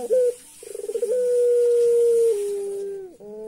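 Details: A Barbary dove (puter pelung) gives a mellow coo, then a stuttering run swelling into a long, slightly falling hum, its eerie "laughing" call.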